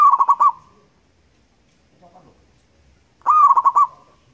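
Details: Two bursts of rolling, stuttered cooing from a local wild zebra dove, each a fast run of clipped notes at a steady pitch, with quiet pauses between.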